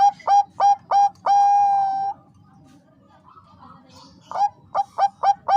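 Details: Bangkok zebra dove hen calling a cock bird to raise his breeding urge: a run of four crisp, evenly spaced coos, a long sustained purring note, a quiet gap, then another quick series of short clipped coos.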